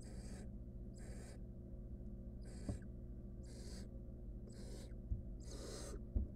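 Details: Wild barn owl nestling with a rodent it stole, filmed in a monitored nest box: harsh hissing snores about once a second, six in a row, with occasional faint taps and background hum.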